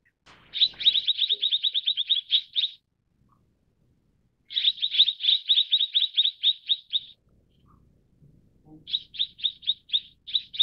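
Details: High, fast chattering trills from Mrs. Gould's sunbird, three long bursts of closely spaced chirps, each lasting two to three seconds, separated by short silences.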